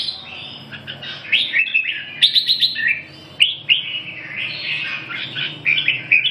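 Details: Red-whiskered bulbul singing: bright, liquid warbled phrases, each short and slurred up and down, delivered in quick bursts with brief pauses, some notes sharp and clipped; faint low hum in the background.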